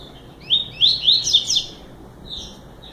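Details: Short song of a double-collared seedeater, a fast burst of high, sharp, upslurred whistled chirps over about a second, followed by a softer trailing note.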